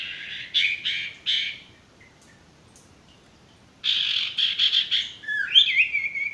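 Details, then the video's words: Male sirtu used as a master song for stressed or non-singing birds: three harsh chattering bursts, a silence, then a longer rapid chatter ending in sweeping whistled notes. "masteran burung sirtu bakalan maupun stres macet"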